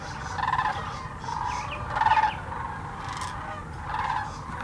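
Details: Thousands of migrating sandhill cranes at Hiwassee Wildlife Refuge, Birchwood, Tennessee, on a 17-degree day: overlapping rolling, rattled calls recur in bursts about every second against a steady low rumble.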